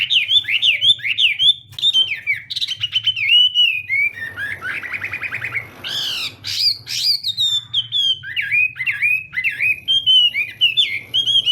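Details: Chinese hwamei singing in a contest-style morning voice-training song: fast chains of loud, slurred whistles swooping up and down, broken around the middle by a harsh, buzzy burst before clear whistled phrases resume, over a low steady hum.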